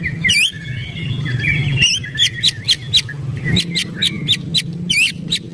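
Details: Agitated white-rumped shama calling with sharp, high, clipped notes in quick clusters and some harsh squawky chatter, against a steady low hum.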